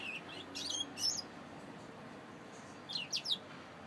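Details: Saffron finch song heard as two short clusters of high, sharp chirping notes, the second a quick trio of bright tweets, separated by a brief silence; soft background hum.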